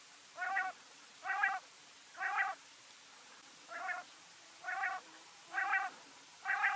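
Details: Quail calling at night inside a house: a steady series of short, harsh, buzzy notes repeated about once a second, seven in all, over quiet background hiss.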